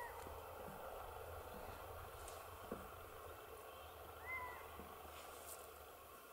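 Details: A Little owl in Hortobágy National Park, Hungary, in 2015 gives one brief, mewing note that rises and falls, heard over a constant hiss of background noise.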